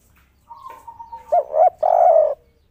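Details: Spotted dove on a rooftop, excited, giving a "kuk 3" call. A thin steady whistle comes first, then two short hoots and a long, rich coo.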